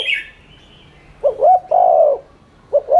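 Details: Spotted dove as a cooing lure: a high chirp from another bird, then one full low three-part coo, with the start of the next phrase cut short.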